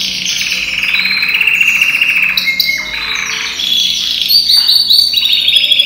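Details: Yellow canary from European stock, about ten months old, sings a loud buzzy rolling trill held for two seconds, then breaks into sharp whistles, chirps and a high bright trill toward the end.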